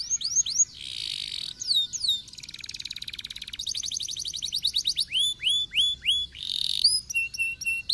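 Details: Canary song meant to spur lazy canaries into singing: high whistled notes sweeping downward, fast rattling trills and buzzy bursts, with short pauses between phrases.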